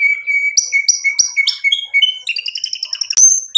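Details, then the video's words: White-rumped shama song aimed at provoking a rival: a steady thin trill with bright whistled notes dropped in, then a higher buzzy warble and one sharp, piercing, rising whistle. "MURAI BATU GACOR memancing EMOSI lawan jadi NYAUT GACOR"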